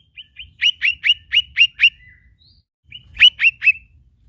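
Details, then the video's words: Lesser green leafbird giving bursts of sharp rising chips, six in a row about a quarter second apart, a short pause, then three more; faint low rumble underneath. "bunyi khas cak ijo mini"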